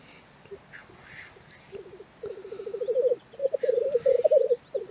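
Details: Black grouse at a morning lek in Cairngorm National Park, Scotland, giving a low rolling bubbling coo in long trilled phrases that build in loudness, with softer hissing calls and faint background birds.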